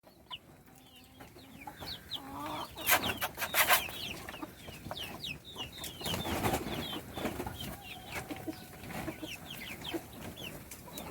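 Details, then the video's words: Chicks at feeding time give a dense chorus of high, short downward peeps, several per second and overlapping, with sharp clicks and knocks of pecking and a brief louder clatter near the middle. "صوت الدجاج // little chickens chirping SOUNDS"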